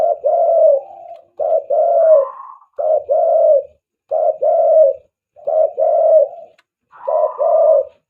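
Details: Spotted dove calling as a decoy for luring doves, steady series of paired low coos, each pair a quick note followed by a longer, slightly falling one, repeated six times without pause.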